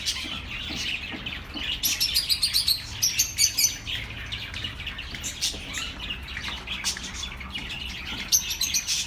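Budgerigars chatter nonstop in a flock, with high, scratchy chirps and warbles overlapping in quick, uneven bursts.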